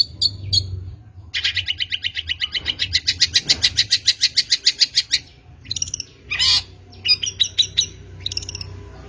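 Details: Long-tailed shrike song played to lure wild shrikes: scratchy chattering notes, then a rapid run of about twenty evenly spaced buzzy pulses, followed by sharp harsh bursts and short chirps, with low hum beneath.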